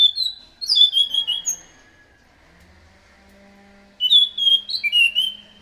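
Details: Lure song of an orange-headed thrush for drawing in others: loud high whistled notes in a rapid varied phrase, a quiet gap of about two seconds, then a second phrase of descending warbled whistles.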